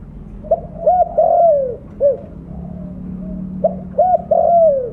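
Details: Mottled spotted dove used as a calling lure, cooing loudly: a sequence of short hooted notes and a long sliding coo, a pause with low background hum, then the phrase starts again.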